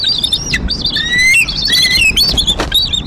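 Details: At a Decorah bald eagle nest, April 2023, adults calling over prey, rendezvous and a young intruder: a continuous run of high, wavering squeals and chitters with steady whistled strands, loud and close throughout.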